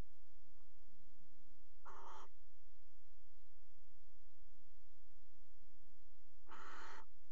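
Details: Two coarse, hissing barn owl screeches roughly four and a half seconds apart, recorded by a nest box camera in a Dutch water tower while the pair mated on the rim in February; steady low hum throughout.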